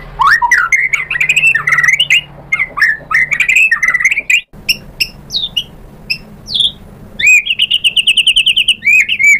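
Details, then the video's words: White-rumped shama lure song: fast varied whistled phrases, then scattered sharp downslurred notes, and finally a rapid run of identical high notes repeated many times over about two seconds. "PANCINGAN MURAI BATU biar EMOSI NYAUT jadi GACOR BONGKAR ISIAN | SHAMA BIRD"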